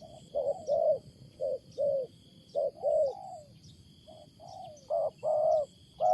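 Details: Spotted dove in the wild giving a loud, odd cooing: low hollow notes in short groups, a few slurred downward, over a constant high insect hum.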